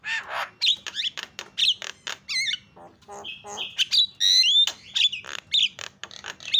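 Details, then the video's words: Javan myna calling, used as a lure to trigger other mynas: a dense stream of harsh squawks, clicks and wavering whistles with short pauses, loud and varied throughout. "PALING MANTUL SUARANYA MENGGODA JALAK CEPAT TERIAK"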